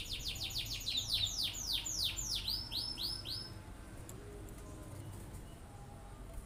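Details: Cinereous tit singing vigorously to provoke other birds into singing along: a fast, steady series of bright descending whistled sweeps, about three per second, fading out midway through.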